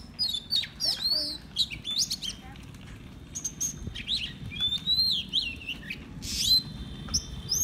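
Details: Oriental magpie-robin kept as a decoy bird, singing improvised phrases: bright high whistles, downslurred and upslurred notes, and short buzzy chips spaced irregularly over a faint low rumble.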